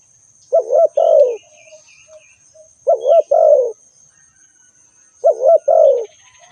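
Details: Spotted dove calling: three low, husky coo phrases, each a short wavering double note then a longer falling croo, repeated about every two and a half seconds, with faint high chirps from another bird and a steady thin whine behind.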